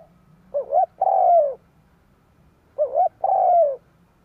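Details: Spotted dove giving its full coo phrase to lure wild doves: two repeats about two and a half seconds apart, each a short rising double note and then a sustained, slowly descending deep coo. Quiet background.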